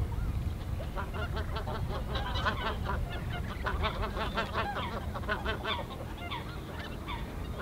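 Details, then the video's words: Many greater white-fronted geese calling together at the Ahsewiesen reserve, Germany, 17 February 2019; a dense chorus of high, two-syllable yelping honks, overlapping and continuous, over low background rumble. "Greater White-fronted Geese (Anser albifrons) / Blässgänse"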